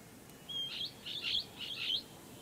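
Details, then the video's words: Blue-headed parrot (Pionus) gives three harsh, high screeching notes in quick succession over about a second and a half, with only faint background hiss. "Pionus Parrot (Blue head Parrot) video and sounds"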